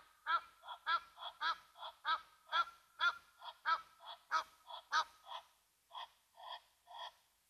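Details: Egyptian Geese upset by a Brown Hyena at Mabula Game Lodge's Gnu Pan waterhole, South Africa; rapid, uneven series of grating honks from more than one bird, some doubled, slowing and softening toward the end.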